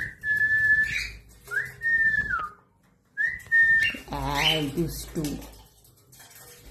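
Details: Indian ringneck parrot, said to be saying hello, gives long flat whistles that end in a slur, then a burst of warbling, speech-like sound.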